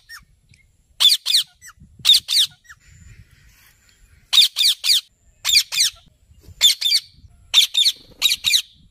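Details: Parrot, known locally as tota, giving harsh paired screeches, each burst a quick double squawk, repeated roughly every second or so across the stretch with short silent pauses between pairs.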